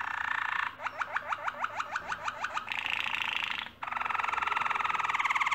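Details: Nest-building canary singing over a hiss of background noise: a run of about a dozen quick upward-sweeping notes, then buzzy rolling trills.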